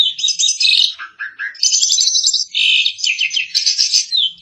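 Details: Asian pied starling song, jalak suren masteran: squeaky chattering phrases, a short pair of lower mellow notes, then dense high rattling trills that continue unbroken to the end.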